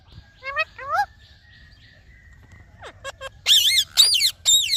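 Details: Indian ringneck parrot making varied vocal sounds: sliding, warbled notes at first, then a quiet pause, then loud, harsh, wavering screeches near the end.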